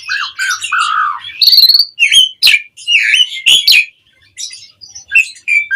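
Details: Asian pied starling song played to draw responses from other birds: low fluted notes open into a jumble of sharp whistles, clicks and harsh chatter with short gaps.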